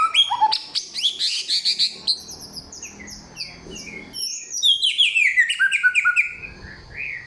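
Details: Loud, clear samyong song, many-voiced with forest-bird material. Rapid high chattering and rising whistles, then a softer gap, then cascading descending twitters.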